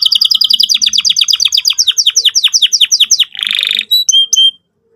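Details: Lively canary song meant for young canaries learning to sing: a quick series of sharp, downward-sweeping notes repeated many times, then a short buzzy trill and a few clear high whistles before silence.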